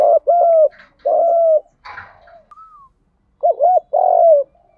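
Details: Spotted doves, male and female, giving challenge coos to lure wild doves: two long hollow coos, a brief noisy break with a single thin whistle, then a wavering double coo.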